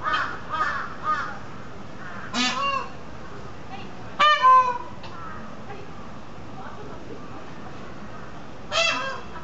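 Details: Female and male peafowl at Maruyama Zoo trade loud, nasal honking calls: a few softer ones first, then three harsh, ringing bursts several seconds apart over a low hiss.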